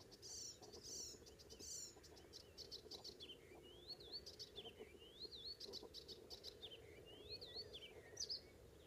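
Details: Icterine warbler in song on Ameland, north of Hollum, Netherlands, on a May morning: harsh high chattering notes give way to a run of rising and falling slurred whistles, repeated about once a second, over a constant low rumble.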